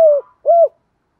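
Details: Decoy spotted dove calling to attract wild doves: two short mellow coo notes, the first gliding downward, the second arched and level, then silence.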